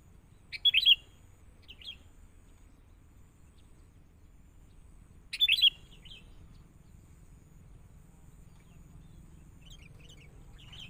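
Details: Sooty-headed bulbul, a young bird taken from the wild, heard during training: two short, loud chattering bursts several seconds apart, with fainter twittering notes between and after, against a quiet low hum.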